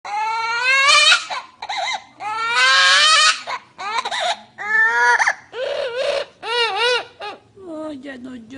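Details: Pet parrot imitating a crying baby indoors: a series of wailing, harmonic-rich cries, some rising and some wavering, each about half a second to a second long, with short breaths between.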